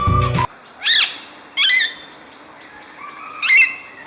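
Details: Alexandrine Parakeet in Sri Lanka gives loud, raucous screeches in harsh bursts spaced about a second apart.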